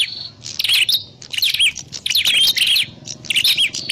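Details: Prinia sound used to lure birds into traps: dense, scratchy high twittering chirps in three or four bursts, with a faint low hum in the background.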